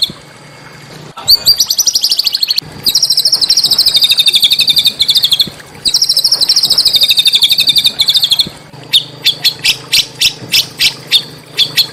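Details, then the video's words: Small-bird tutor song meant to stir Oriental magpie-robins into emotional singing, with a natural backdrop: long, dense, rapid trills in two bursts, followed by a string of separate sharp, high chips. "masteran burung kecil agar murai batu gacor"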